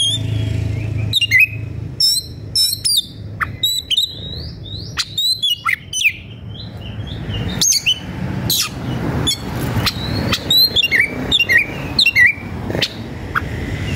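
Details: White-rumped shama (kacer) singing in an agitated state while seeking a rival to fight, used as a lure to provoke other shamas. A rich, varied run of sharp whistles, rising and falling sweeps and abrupt clicking notes, nearly continuous over fourteen seconds.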